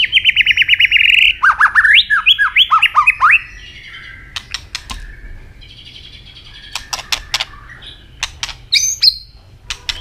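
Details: Asian robin in song, starting with a rapid buzzy trill, then a series of swooping slurred whistles, followed by scattered sharp clicks and short chirps.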